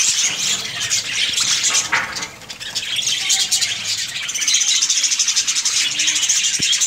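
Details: Budgerigars in a breeding colony, a dense, continuous wash of high chirps and warbles from many birds, with a brief dip in loudness around the two-second mark before the chatter swells again.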